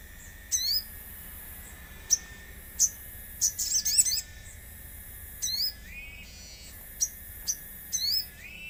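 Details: Common iora, played as a lure to make birds sing, amid nature sounds: short, high, whistled chirps and brief twittering phrases at irregular intervals, with a steady, thin, mid-high drone running underneath.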